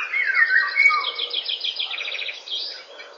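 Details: Eurasian golden oriole singing at 08:15 in the morning on 19 May 2013, opening with a fluty, down-slurred whistled phrase, then a rapid, buzzy, repeated chatter from another bird high above.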